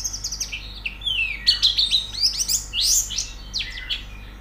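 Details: White-eye twittering song for bird-singing training: busy, high, scratchy chirps and slurred notes in energetic bursts, loudest in the middle.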